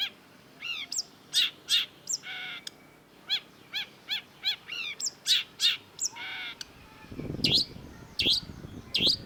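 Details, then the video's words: Long-tailed shrike singing a varied, dense series of sharp whistled and chattering notes, some rapid descending sweeps and buzzy bursts, with a lower rustling noise near the end. "MASTERAN CENDET DURASI PANJANG || Long-tailed Shrike"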